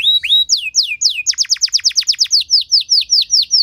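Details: Canary song with elaborate melodic twists, played to get other canaries singing: high whistled downslurs, then a quick string of sharp falling notes, about eight per second, easing into steadier arched whistles repeated at a slower pace.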